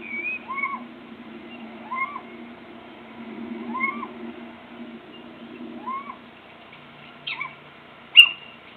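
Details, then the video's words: Little owl calling out of view on 26 March 2014, giving short arched, mewing calls roughly every two seconds, each with a higher overtone, over soft low rumble; a sharper, louder note comes near the end. "Steenuil roepen 26 maart 2014 (little owl)"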